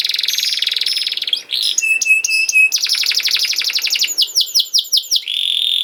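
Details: Canary song for training young canaries: buzzy trilled phrases, clipped metallic notes, a fast rattling run, repeated falling whistles, and a closing steady buzz.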